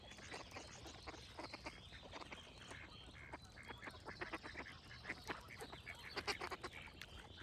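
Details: Dense, overlapping duck quacking throughout, loud and rasping, mixed with bright high-pitched birdsong and steady background noise.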